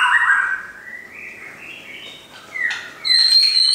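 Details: Caged shamas belonging to a friend: a loud wavering whistle fades into a soft, gradually rising series, then sharp high whistled notes burst in at the end.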